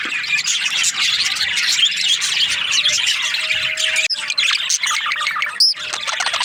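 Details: Budgies chattering in breeding season, constant high chirps and warbles from many birds, briefly interrupted by a sharp click and a short louder squeal near the end.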